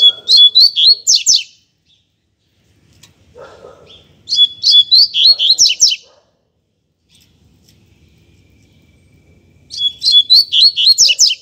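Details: Double-collared seedeater, a loose bird performing in the street, given as a teaching song for young learners: three bursts of rapid, high, buzzy chirps and trills, each about a second long, roughly every four to five seconds, with faint murmur between.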